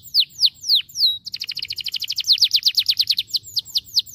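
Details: Domestic canary song recorded indoors: three or four clear downward-slurred whistles, then a rapid, steady rattle of sharp repeated notes, ending in looser chirps. Faint low background hum throughout.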